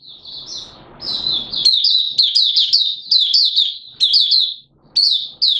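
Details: Malaysian Oriental white-eye (mata puteh) in buka sing singing, kept as a hobby bird, Singapore, warm humid weather with sudden showers, 29 March 2023: a rapid high twittering run of sharp chirps and slurred notes after a soft hissing start.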